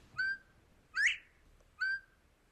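Northern Bobwhite giving clear, loud whistles: a level note, then a sharply rising slurred whistle, then another level note, about one second apart.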